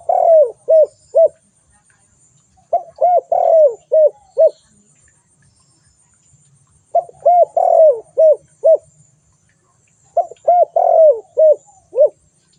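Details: Spotted dove repeating its cooing phrase four times, each a quick run of five or six soft, hollow notes with one longer slurred coo, phrases spaced about three to four seconds apart.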